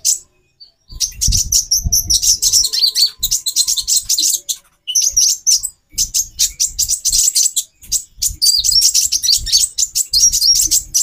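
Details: Long stretch of a female brown-throated sunbird's call, meant to trigger the male's mating drive: dense, high, scratchy chattering in bursts of one to three seconds, with short pauses and faint low knocking.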